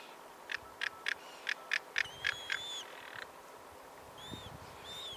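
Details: A juvenile crested caracara, recorded in 2021 in Chile while feeding on the remains of a whale, gives a quick series of about eight harsh, rasping notes, roughly three per second, followed by a couple of thin, arched whistles.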